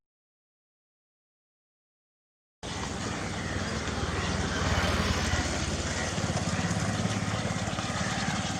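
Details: Two and a half seconds of silence give way to a steady broadband rumble of traffic or engine noise by a riverside, with no clear animal voice.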